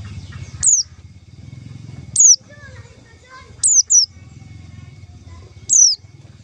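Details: White-eye lure call used to trap white-eyes: five piercing, high, descending whistled notes, spaced irregularly and one a quick double. A steady low rumbling hum and faint lower chirps fill the gaps.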